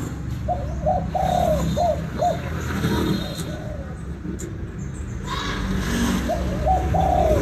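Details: A Spotted Dove (Spilopelia chinensis) in Vietnam gives soft, low coos: a run of short hollow notes ending in a longer drawn-out coo, repeated over steady background noise.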